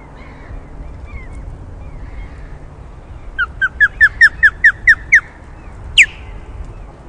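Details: Osprey calling in alarm at its nest on a Scottish loch after chasing someone away: a rapid series of about nine ringing, downslurred whistled yelps, then one higher, louder shriek after a short pause, over a quiet background.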